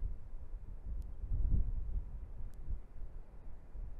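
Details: Gusty low wind rumble on the microphone with faint periodic clicks; no animal voices.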